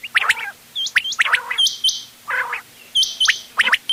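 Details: Mixed quail calls, styles called ghonge wal, dogla and changa, recorded 31 October 2025 for hunting: several birds giving short, sharp rising chirps and flicked whistles, overlapping with lower, nasal, harsh bursts, in an uneven chorus.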